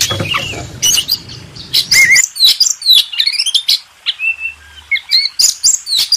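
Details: Master song for contest birds from an Oriental magpie-robin: rapid chirps and whistled phrases, with a low hum under the first two seconds, then a drawn-out whistle and more quick notes.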